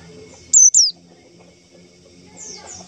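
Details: White-eye calling to lure others for trapping: two quick, very high, sharply descending notes, then quiet with faint twittering.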